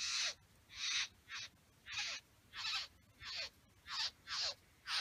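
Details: Satin Bowerbird male at his bower with females present; loud, breathy, buzzing rasps, each dropping in pitch at the end, repeated about nine times in quick succession.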